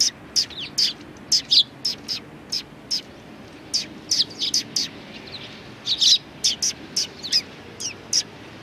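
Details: A neighbouring flock of sparrows chirping at a Tenmangu shrine, Japan, 14 March 2019: crisp high notes and some downward-sliding chirps, irregular spacing, quickening toward the middle.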